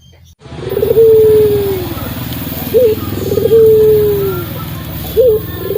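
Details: A local Barbary dove, used as training audio for songbirds, coos over a low background rumble. Each phrase starts with a short clipped note, then a long drawn-out hum that slides slightly downward.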